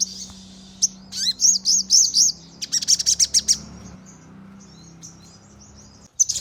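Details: Crimson sunbird lure song meant to get birds singing actively: looping high slurred notes, then a quick burst of sharp, evenly repeated chips, trailing into faint thin chirps over steady low hum.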